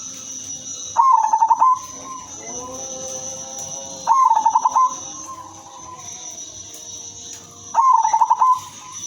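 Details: Female zebra dove, silver variety, singing to attract others of its kind: three short bursts of rapid, tremulous cooing spaced about three and a half seconds apart, with quieter tonal sounds and a high hiss in between.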